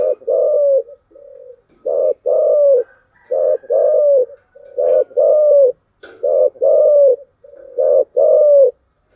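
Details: Spotted dove cooing steadily in the thổ chiêu gù style: loud low hooting phrases repeated about every one and a half seconds, each a short coo followed by a longer slightly falling one, with soft notes between.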